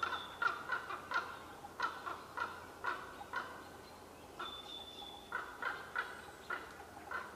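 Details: Pair of ravens hidden in trees at Qualicum Beach on May 23, 2011, trading calls in a sometimes quarrelsome exchange; clipped knocking notes come in uneven runs, a high thin whistled tone twice, soft hiss behind.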